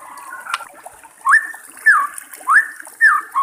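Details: White-rumped shama singing in the wild beside trickling water; a series of five loud, clear whistled notes, each swooping up then down, spaced about half a second apart.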